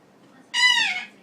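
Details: Pet male Goffin's cockatoo on top of its cage in the evening gives a goose-like honk: one nasal, harsh squawk, slightly falling in pitch, about half a second long, in a quiet room.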